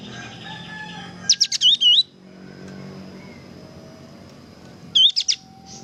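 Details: Kapas tembak singing energetically for training caged birds: a rapid cluster of sharp high chips ending in two looping whistles, repeated after about three and a half seconds, over a constant thin whine.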